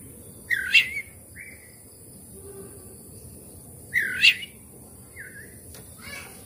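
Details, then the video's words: Oriental magpie-robin lure song to coax a reluctant bird into singing with its tail open: a loud rich warbled phrase followed by a short whistle, the same pair repeated about three seconds later. "kacer malas bunyi susah buka ekor. pancingan kacer langsung on buka ekor"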